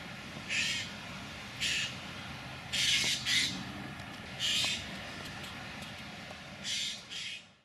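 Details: Young Eurasian jays at De Blaak, Tilburg, on 22 July 2016 give harsh, rasping screeches, about six short bursts at uneven intervals, some in quick pairs, over a low rumble of distant traffic.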